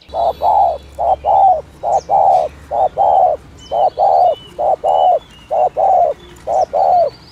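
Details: Lure recording of spotted dove coos in the thổ thúc gù style: a steady run of low paired notes, short then long, roughly one pair per second for seven seconds, light chirping of other birds behind.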